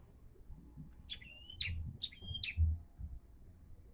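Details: Bar-winged prinia, singing more frequently, gives four sharp high chirps, each ending in a short level whistle, spaced about half a second apart, with heavy low-pitched rumbling and thumps underneath.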